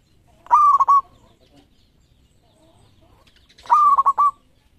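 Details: Two bright, stammering coo phrases from a champion local perkutut kept as a lure master recording, each a sustained note split into three quick pulses, separated by about three seconds of near silence.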